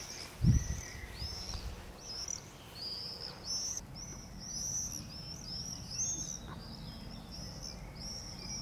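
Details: Young long-eared owls (Asio otus) at night giving high, thin, slightly rising squealed begging notes, repeated at irregular short intervals, with a brief low thump near the start and steady background noise.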